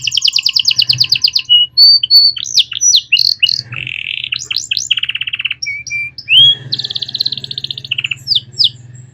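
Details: Canary singing a master song with elaborate phrasing for tutoring other songbirds: fast buzzy rolls, sweeping slurred notes and steady trills follow one another without pause over a low constant hum.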